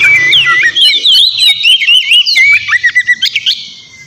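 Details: Loud Oriental magpie-robin song aimed at drawing a reply from a rival: wavering clear whistles and quick slurred notes, ending in a run of short rhythmic pulses that fade out.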